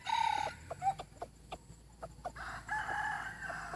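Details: Decoy chicken with a fine voice: a brief crow opens, scattered clucks follow, then a second longer crow carries to the end.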